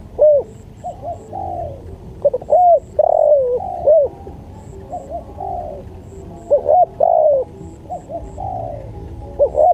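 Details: Spotted dove song used as a training recording: repeated low coo phrases of short upturned notes followed by a longer falling coo, about four phrases over ten seconds, clean and close.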